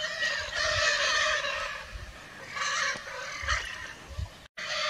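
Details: Free-flying wild Lear's macaws in Brazil give harsh, raspy screeches in bursts of about a second, with several birds calling together, then a brief gap before calling resumes. Low rumbling sounds underneath.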